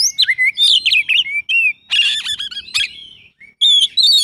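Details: Kacer (Oriental magpie-robin) singing isian full: tumbling whistled notes give way to a dense, buzzy, rasping passage. After a short pause, clear rising whistles close the burst.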